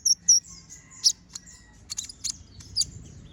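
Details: Brown-throated sunbird master song for training other birds: two loud sharp high whistled notes, then softer scattered chips and a few buzzy bursts.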